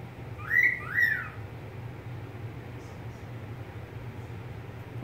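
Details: One double whistle from a pet budgerigar opens the recording, two arched slurred notes in quick succession, followed by low humming background noise.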